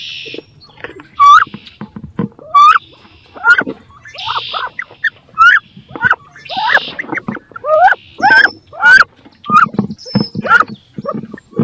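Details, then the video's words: Two female wood ducks in a nest box, each determined to lay and brood there, call with a steady run of rising squealed whistles over knocking and scraping sounds. "CANARD BRANCHU (Carolin) 2 FEMELLES VEULENT PONDRE DANS CE NICHOIR / MOMENTS FORTS / CRIS"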